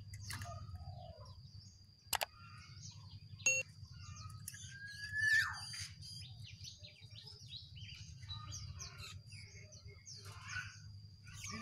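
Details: Jongkangan, wild and caged birds singing against each other: varied chirps, short rising and falling notes and trills scattered over a steady high ringing tone, with a low rumble beneath and a few sharp clicks.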